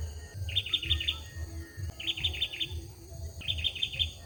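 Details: Olive-backed sunbird male in song, giving three quick phrases of four sharp, sweet chirping notes, each phrase about a second apart, over low background hum.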